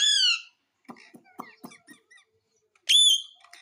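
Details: Indoor pet parrot, said to say "Mummy Papa": a loud rising-falling screech, a run of short mumbled speech-like syllables, then another bright loud squawk.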